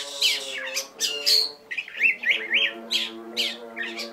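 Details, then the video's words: Oriental magpie-robin in full song with sharp "tembakan" shot phrases: harsh high squawks, then a run of quick twisting whistled notes repeated about every third of a second, over a steady low droning hum. "kacer gacor tembakannya pedas"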